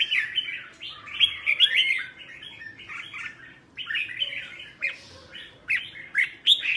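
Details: Morning training song of a caged red-whiskered bulbul pushed toward the double-note old-forest style. Lively chattering warble of quick whistled slurs comes in two long bursts with a brief lull between.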